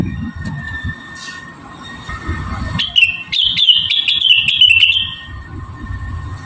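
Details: Javan cochoa singing as a training model for other cage birds: a quick burst of sharp, twittering high notes in the middle, over a steady faint whistling tone and low background rumble.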